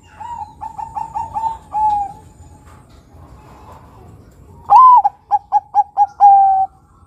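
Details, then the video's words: Zebra dove, a crossbred Bangkok and local perkutut, singing as a lure: a quieter rippling run of coos ending in a held note, a pause, then a loud phrase of one swooping coo, four quick notes and a long end note. "Perkutut bangkok gacor suara nutut besar panjang penarik bunyi perkutut bangkok lokal crossing"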